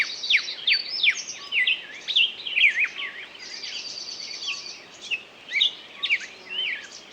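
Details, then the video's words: Singing bird pours out fast, tumbling whistles and chirps, with a thin buzzing trill in the middle of the passage over a steady background hiss. "пение птицы"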